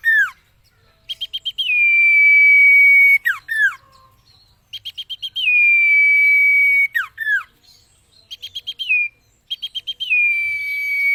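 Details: Common iora song used as a training recording for cage birds: about four quick chips, then a long steady whistle that ends in two sharp falling slurred notes. The phrase repeats about three times, each time after a short silence.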